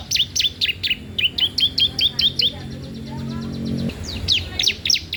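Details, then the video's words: Bar-winged prinia singing loudly, intended to tutor or lure young birds: a fast train of bright, clipped chirps, a short break with a low murmur, then the rapid chirping resumes. "CISEM PAUD GACOR DOORRR, COCOK UNTUK MASTERAN/PANCINGAN CIBLEK BAHAN"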